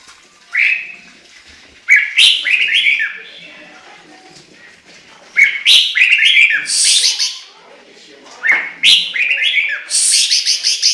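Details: Chinese hwamei song of varied, fluty whistled phrases that slur upward, mixed with sharper, higher chirping notes, delivered in bursts separated by brief pauses.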